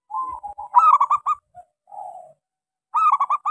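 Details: A local zebra dove's small-voiced lure song for restarting doves that no longer sing: a soft opening coo leads into a rapid stuttering roll, a drawn-out hum, then another rolling phrase.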